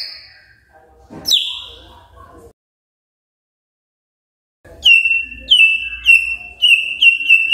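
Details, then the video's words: Morning magpie-robin singing to draw replies from quiet birds: a sharp high downslurred note, a silent gap, then a run of ringing downslurred whistles repeated about twice a second. "Pancingan PAGI PAGI AGAR MURAI GACOR❗ murai diam pasti ikut NYAUT❗❗"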